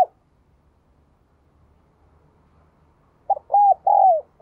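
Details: Spotted dove cooing after a quiet spell with faint low rumble; one phrase of a pip, arched hoot and long falling coo near the end.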